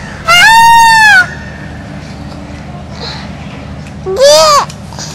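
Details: Peacock calling loudly: a long, harsh, wailing note lasting nearly a second, then a quiet pause and a shorter rising-and-falling cry near the end, over a low background hum.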